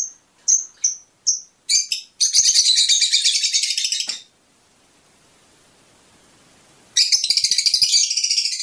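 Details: Fischer's lovebird song, said to stimulate mating: a few separate shrill high chirps, then a long dense burst of rapid scratchy twittering, a short pause, and the fast chatter starting again.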